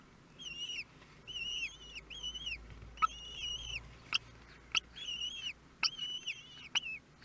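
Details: Kestrel family at the nest in Théding, France, on 23 May 2022, as the newly hatched young get their first feeding: repeated short arched whistled notes in quick pairs and triplets, interspersed with crisp ticking clicks over a low background hum.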